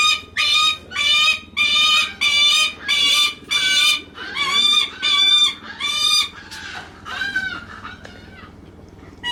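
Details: A captive Lanner falcon (Falco biarmicus) at Kakegawa Kachoen, Japan, greets a favourite keeper to be fussed over: a fast series of harsh, rasping, high-pitched calls, about eight in six seconds, trailing into softer chattering.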